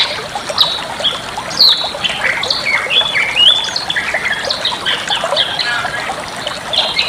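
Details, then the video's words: Bali myna song used as tutor audio for other birds: varied whistled notes, sharp slides and scratchy chatter overlapping in a busy, unbroken stream over background hiss. "suara masteran burung jalak bali"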